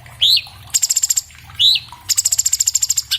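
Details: Cucak cungkok, the orange-bellied leafbird, singing for cage-bird training on an iPhone 7 Plus: a rising whistled slur followed by a rapid high ticking trill, the pair repeated twice.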